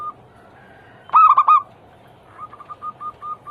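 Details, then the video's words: Zebra dove song played to coax other doves into singing: a loud burst of short cooing notes, a quiet pause, then a softer row of quick, evenly spaced coos. "Pancingan harian burung perkutut Anggungan paling ampuh langsung bunyi hitungan detik"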